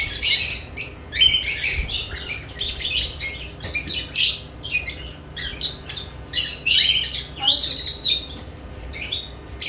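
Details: Lovebirds around new nest boxes give sharp, separate squawks and chirps, about two each second, with short silences between the harsh bursts.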